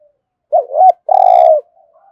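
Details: Spotted dove cooing in thúc gù fashion: a wavering two-part rising and falling note, followed by a long, steady, burry coo, then quiet.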